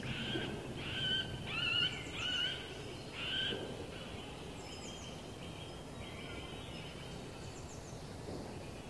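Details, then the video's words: Middle spotted woodpecker giving loud, nasal, squeaky quacking notes in short bursts over the first few seconds, then faint high chips from other birds. "Middelste bonte specht (video & geluid) - Middle spotted woodpecker (video & sound)"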